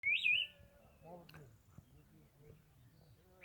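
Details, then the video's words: Wild bird singing in the Himalaya: one clear, wavering whistled phrase at the start, followed by quiet with faint low murmuring and a soft note returning at the end. "Birds Singing from Himalaya"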